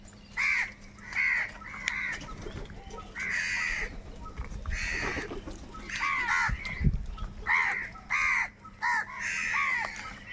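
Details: Crows squabbling over food call loudly, a harsh caw roughly every second or so, each with arching harmonic bands, over faint background rumble.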